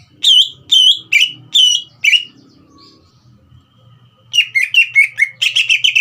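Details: Song of a green leafbird meant to stir a young speckled bird into singing: five loud, clear whistled phrases about half a second apart, a pause of two seconds, then a quicker burst of sharp chattering notes.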